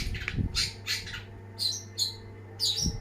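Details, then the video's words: Long-tailed shrike delivering harsh squawking bursts mixed with high bright notes, a few loud raspy phrases in quick succession, against a low background hum. "ocehan burung cendet gacor banget!!!"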